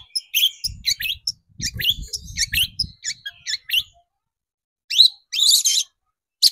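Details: Long-tailed shrike lure song meant to rouse shrikes into full song: dense, scratchy chattering with squeaky high notes and soft low thumping, broken by a pause before short harsh bursts.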